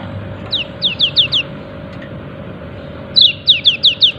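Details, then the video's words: Yellow-breasted white-eye calling 'ciak ciak': two bursts of four to five short, sharp, high chirps, each sliding downward, the second burst louder, with a steady low hum underneath. "Pleci dada kuning memanggil ciak ciak"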